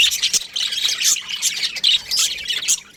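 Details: Aviary full of baby budgies chattering: dense, high, scratchy chirps and short squawks crowding together in quick uneven bursts.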